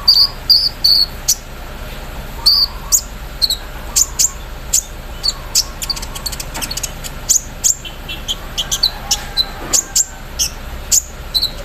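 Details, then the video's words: Caged olive-backed sunbird singing hard in the morning while set out in the dew, its song filled with mimicked embroidery-machine sounds: rapid high, sharp chips and clicks in uneven bursts, some closely spaced, over a steady faint background hiss. "KOLIBRI NINJA GACOR KELUAR ISIAN MESIN BORDIR SAAT DI EMBUNKAN PAGI HARI SAMPAI TELER"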